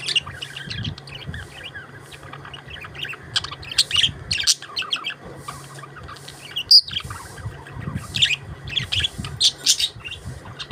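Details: Several budgies sing and chirp together: busy, scratchy warbling mixed with sharp high chirps, running on with no clear pattern, over a steady low hum.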